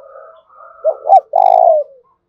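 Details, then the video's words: Spotted dove, a strong-voiced lure bird of the local field-voice style used to stimulate wild birds to call: a short soft lead-in, two quick hoarse notes, then a long loud coo, with fainter coos behind. "Tiếng chim cu gáy thúc cực sung/ chim cu gáy kích bổi hiệu quả"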